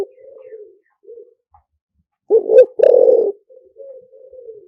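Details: Spotted dove decoy song, liu tan style, for luring wild doves: one loud phrase of a short double coo and a long hoarse coo, surrounded by faint, softer drawn-out cooing.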